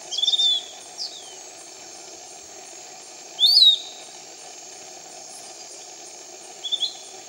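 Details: Piratic flycatcher in the canopy near Iquitos, Peru, repeating high whistled calls: a stuttering whistle, a short note, then a loud rising-falling whistle and a softer one, several seconds apart, over a steady insect hum.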